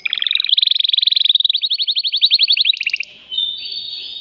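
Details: A male canary's mating song meant to excite a female, a fast pulsing trill of sharp repeated notes that shifts pitch, ending in a brief pause and a smooth whistled phrase.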